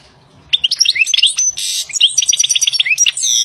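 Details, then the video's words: Wild European goldfinch delivering a continuous bright song of rapid high twitters, short rising whistles and a brief buzzy burst, lasting about three seconds. "تغريد طائر الحسون The song of the goldfinch Le chant du chardonneret El canto del jilgero"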